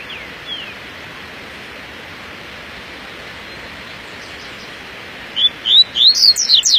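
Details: Double-collared seedeater on a morning outing bursts into a quick run of sharp, high, sweet notes near the end, after a few faint chirps, over a steady background hiss.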